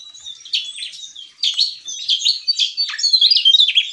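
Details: Javan tesia in active ngeplong song. Fast, shrill runs of high chirps and whistled notes come in dense clusters, including one sharply descending slur, with the phrases growing steadier and louder toward the end.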